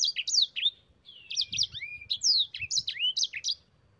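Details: High sweet rolling song of a sanger, the yellow-fronted canary, used as a training recording: fast runs of bright twitters mixed with dipping and rising whistled notes, on a clean quiet background.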